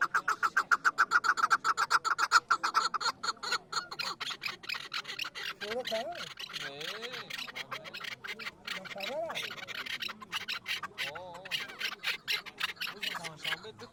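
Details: Chukar partridge from the Pamirs, kept for hunting: a rapid series of sharp clucking notes repeated about four times per second for three seconds, then fading into scattered notes while people talk.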